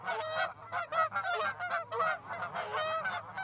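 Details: Geese gathering in a field by an osprey roost in Charlo, Montana, on a February morning in 2018; overlapping nasal honks in irregular bursts from several birds, with a steady low hum underneath.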